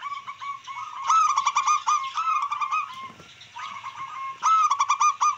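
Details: Local wild-type zebra dove song intended to arouse rivals and breeding drive. Overlapping streams of fast pulsed and drawn-out ringing notes, dipping briefly in the middle before another rapid burst.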